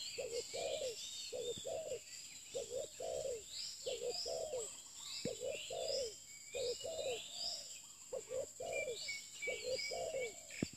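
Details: Spotted dove, used for luring, giving low hollow coos in quick two- and three-note phrases, repeated almost without pause. Thin high chirps from other small birds and a steady high insect-like whine sit behind.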